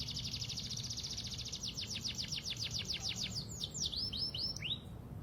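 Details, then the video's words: Pied canary lure song for young birds: a fast high trill slowing into separate down-sweeping notes, ending in a few looping whistles, with low background hum. "Kenari panda gacorr pancingan kenari paud"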